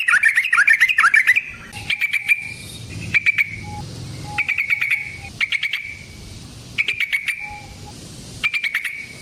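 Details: Sooty-headed bulbul in an energetic rolling lure recording for trapping: a fast whistled run opens, then short trilled bursts of rapid notes repeat every second or so, with a faint low hum behind.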